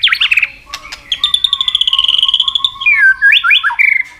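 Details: White-rumped shama, fired up and singing in a contest while flapping and turning, varied forest-style song: chirpy notes, then a long sustained high whistle with a steady lower tone, ending in swooping falling and rising phrases.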